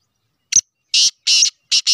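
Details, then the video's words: Black francolin, a Sheedi cross bird from Pakistan, giving loud, harsh, rasping notes in quick bursts of about a fifth of a second, each separated by brief silences, with no other clear sounds. "kale Sheedi Teetar ki Awaaz"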